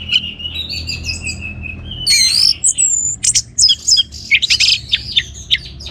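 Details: Orange-headed thrush singing vigorously, used to stimulate other birds to sing: a drawn-out wavering whistle gives way to quick, varied, sharp notes and rising slurs in rapid bursts over a faint low hum.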